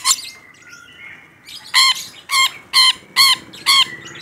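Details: Rainbow lorikeet repeating loud, nasal, harmonic screeches about every half second, five in a row after a few softer chattering notes.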